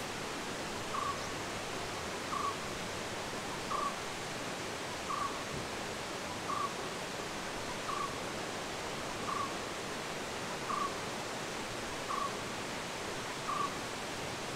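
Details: In Munnar forest, South India, a barbet calls in the background while a Malabar giant squirrel feeds in the trees, repeating a short, hollow mid-pitched note about every one and a half seconds over steady hiss.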